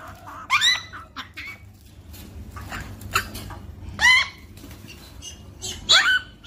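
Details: Eclectus parrot (Eclectus roratus) chicks, hand-fed, giving harsh, rising squawks with grating overtones, spaced irregularly a second or two apart over a low background hum.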